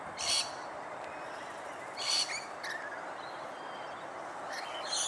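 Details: Rainbow lorikeet feeding in Australia: harsh, broadband screeching bursts about every two seconds, each brief and loud, over a steady hiss of background noise.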